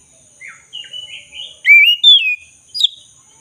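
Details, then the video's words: Lively black-breasted magpie-robin song meant to coax a silent bird back into singing: soft warbled notes building into two loud, clear, upslurred whistles and a sharp high flourish, with a constant thin background whine. "Pancingan kacer dada hitam gacor - pulihkan kacer macet bunyi"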